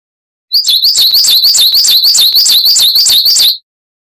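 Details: Quick, continuous coal tit song, a training recording for cage birds, about three seconds of rapidly repeated high, ringing two-note wucit phrases, starting and stopping sharply.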